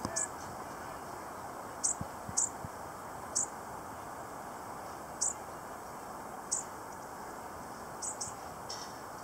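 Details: Scattered high, thin ticking calls from a lone bushtit at Gas Works Park, about eight brief notes at uneven intervals. A dense, steady hiss and rumble of urban noise fills the background.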